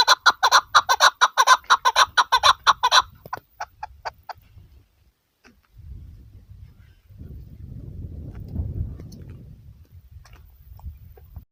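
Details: A chukar partridge, tagged as female, recorded in a hunting context, gives a rapid run of harsh clucking chuk notes, about four a second, fading into scattered clucks, then low rumbling wind.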